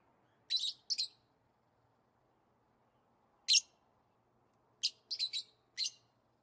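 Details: Excited lovebirds giving sharp, high chirps in short bursts: a pair of harsh double notes, a pause, one clear chirp, another pause, then a quick stuttering group of three or four chirps and a final note, faint hum behind.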